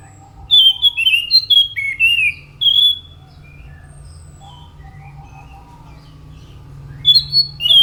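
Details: Orange-headed thrush delivering a burst of varied, fluty whistled phrases with sliding and warbling notes, then a pause of several seconds before another brief whistled phrase; steady low hum throughout.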